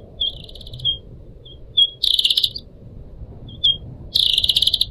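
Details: Pied Triller kept in a cage in Indonesia: a few thin, high whistled notes, then two loud, harsh, buzzy chattering bursts, over a faint steady low hiss.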